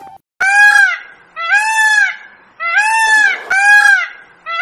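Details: Indian peafowl, several of which came into a village vegetable field of beans and potatoes, giving four loud, nasal, wailing calls, each rising then falling, about one per second.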